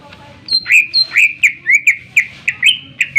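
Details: Greater green leafbird singing loudly, used to provoke other birds to sing: two high drawn-out whistles, then a regular series of rising slurred whistled notes, about two per second.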